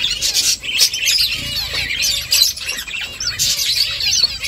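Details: Finches building a nest chirp busily, a dense overlapping chatter of high, quick twittering notes from several birds at once.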